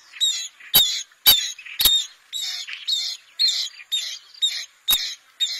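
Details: Fast, rasping, squeaky notes from a bronze-winged jacana, roughly two per second, interrupted by a few loud sharp clicks.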